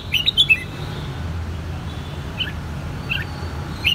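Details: Red-whiskered bulbul kept in Saigon, Vietnam, hand-raised from the white-cheeked juvenile stage: a quick cluster of three clear chirps, then a few scattered softer notes against a low background rumble.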